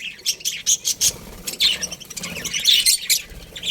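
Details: A colony of budgerigars chirping in a quick run of bright, high chirps and squeaky notes, with bursts about every quarter second and short overlapping calls.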